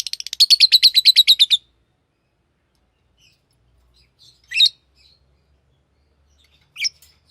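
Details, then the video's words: Green lovebird opening with a fast rattling string of about ten sharp chirps, followed by near silence broken by two isolated harsh squeaky notes. "Green Lovebird Chirping Sound"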